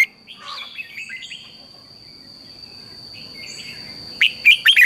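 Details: Red-whiskered bulbul morning song used to train other birds in the 'căng lửa' manner: soft distant warbling at first, then a loud closing burst of quick, bright, slurred whistles over a steady faint high tone.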